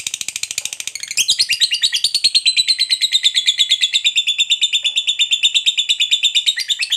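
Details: Long ngekek from a fighter lovebird meant to rouse other lovebirds: a fast, shrill stream of chattering pulses that swells after the first second and runs on steadily.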